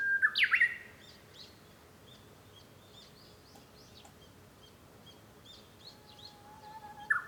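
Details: From a room at home, 5 May 2013, a Japanese bush warbler ends a phrase with a loud explosive flourish, then faint twittering of other small birds, and a new low whistle begins at the end.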